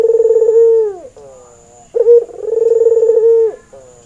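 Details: ['Male white albino Barbary dove with red eyes, said to be in breeding mood and used as a training lure. Repeated coos, each a pulsing, rolling tone that slides down at the end, followed by a fainter trailing note.']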